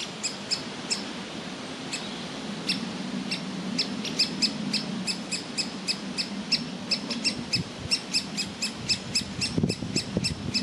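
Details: Young woodpecker sitting in a tree nest hole, wanting to be fed while its parents want it to leave; short harsh calls repeated rapidly and steadily, about two to three per second, over a low steady hum.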